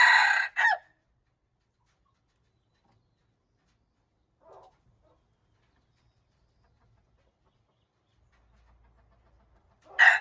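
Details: Junglefowl recorded March 19, 2025. A harsh crow ends at the start, followed by long quiet with one faint distant note midway, then another loud crow begins just as it finishes.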